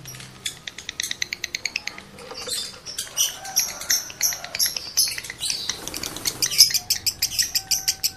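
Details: Male lovebird in high breeding condition, used as a lure so other males come into condition and chatter (ngekek); sharp, high, dry chirps repeated about three times a second, uneven, with brief denser bursts midway.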